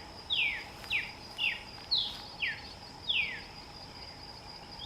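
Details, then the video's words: Crested woodpecker, named in Spanish as copetero de madera: a series of six sharp descending calls, each sliding from high to lower pitch, spaced irregularly about half a second to a second apart, over a steady high background hiss. "Copetero de madera"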